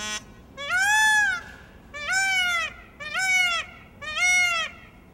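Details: Indian peafowl at Brookfield Zoo giving four loud, nasal, wailing calls, each rising then falling, about one per second, with faint background hiss.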